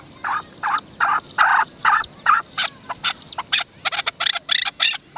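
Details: Chukar partridge, locally dasi chakor, giving broad, harsh chak-chak notes in quick succession, longer grating syllables early, then shorter clipped ones.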